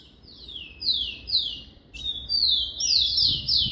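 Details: Caged rufous-collared sparrow giving a "Jesus meu Deus" style song: two high whistles slurring downward, then a longer pure whistle held steady before falling away. Clean, with little background noise.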